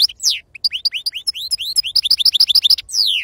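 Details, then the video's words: Goldfinch song in the wild 'khloui' Sarfati style: a lively run of upswept high chirps speeding into a rapid series of bright repeated notes, closing with a long downslurred note. "أفضل تغريد بندوق حسون خلوي أصيل الله يبارك لصحابو ما شاء الله لغه خلوي أصيل سرفاتي"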